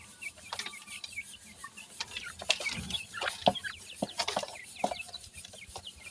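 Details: A group of young francolins, described as happy in summer, make rapid, overlapping high chirps and short clucking notes. Scratchy clicks and taps sound among the calls.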